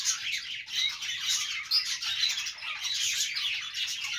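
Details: Several budgies at play keep up a busy twittering of high, rapid chirps and short whistles, the chatter swelling and dipping without pause.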